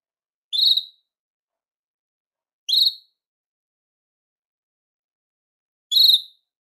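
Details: Belgian canary call used to attract and call canaries: three short rising whistled chirps, widely spaced with about two to three seconds of silence between them.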